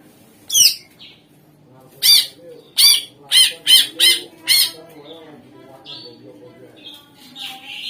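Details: Greater green leafbird song used as a lure to make other songbirds answer: a string of loud, harsh, downward-sweeping notes, six in quick succession after a first one, over a low murmuring background.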